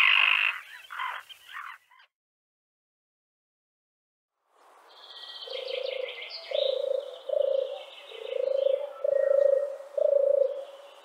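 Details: European turtle dove from Central Russia gives a series of low, rolling purrs, each under a second and repeated steadily. Higher chirps from other birds sound over it.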